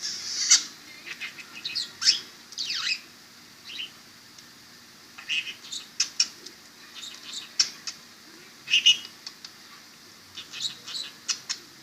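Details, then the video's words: Pet budgerigar chattering while its owner talks to it and kisses it. Short sharp chirps and clicks come in scattered bursts over a faint steady hum. "talking and kissing parakeet/ budgie"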